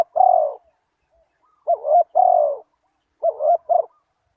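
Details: Spotted dove coos used as a lure for wild doves: a long level coo, then a quavering double note and another sustained coo, then quick wavering notes. Mid-pitched and clear, with silence between phrases.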